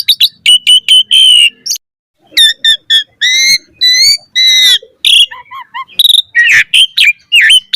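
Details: Asian pied starling with a full, varied song for luring starlings: clusters of nasal ringing notes, rapid stuttered chirps, and short whistled slides with brief pauses.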